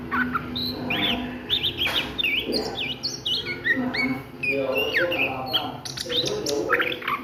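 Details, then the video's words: Ngriwik singing of an Oriental magpie-robin at midday, full of quick looping whistles, sharp chips and downslurs repeated in rapid phrases, with faint low hum. "SUARA KACER NGRIWIK DISIANG HARI"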